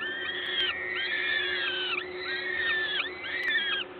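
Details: Nest of peregrine falcons in Gdańsk, Poland, on 14 May 2022 during a parent's feeding visit. Four long, curving whined calls, partly overlapping, about one per second, with a steady low hum throughout.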